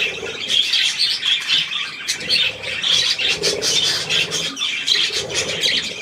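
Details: Adult and young budgerigars feeding on millet, 3 May 2024, giving rapid grating squawks and high twittering notes in a steady, crowded chorus.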